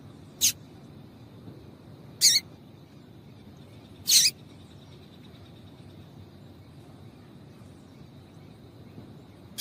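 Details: Three crisp high chirps about two seconds apart from a female double-collared seedeater, calling to get the male singing, followed by several seconds of quiet hiss.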